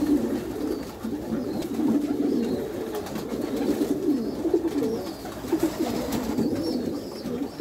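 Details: Continuous overlapping cooing from a flock of Meulemans racing pigeons in a backyard loft: deep, wavering, rhythmic coos rise and fall in waves, with scattered clicks and rustling.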